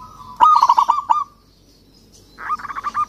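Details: Local zebra dove calling out to a rival, giving a loud, rolling burst of quick cooing notes. A pause follows, then a second, rougher trill of coos begins.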